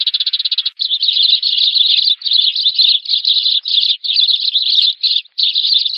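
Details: Sparrows calling the flock, a call used as a lure for trapping; dense, continuous overlapping chirps in a high band, starting with a fast stuttering train of notes and then merging into rippling chatter with brief gaps.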